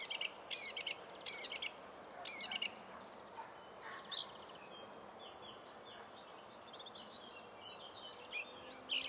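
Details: Song Thrush, a brown thrush with a spotted breast about the size of a blackbird, singing in a park woodland; loud, fast song of whistled phrases, each repeated two or three times, with higher thin notes between them.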